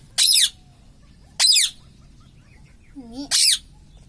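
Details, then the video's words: Pet ring-necked parakeet (mitthu) at home: three loud, harsh, descending screeches about 1.5 seconds apart, with a soft warbled note just before the last one, over faint background hum. "Mummy vala parrot ||me toto me tota parrot singing||मिट्ठू मिट्टू|| मम्मी||"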